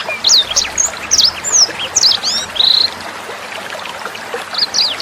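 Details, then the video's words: Sanger bird in a clear tutor song for training songbirds, mixed with trickling water. Quick high chirps and down-slurred whistles come in bursts, then a longer steady whistled note, and the song fades briefly before resuming. "SUARA MASTERAN BURUNG SANGER NEMBAK JERNIH"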